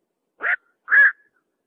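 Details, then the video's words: Bird known locally as bakchuk calling at night, two rough, croaking squawks about half a second apart, the second longer and louder, against complete quiet. "বাকচুক পাখির ডাক"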